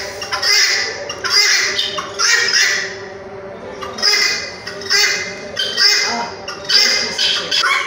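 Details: Red-wattled lapwing giving shrill, grating calls in bursts about once a second, with brief quieter gaps between each loud, sharp outburst.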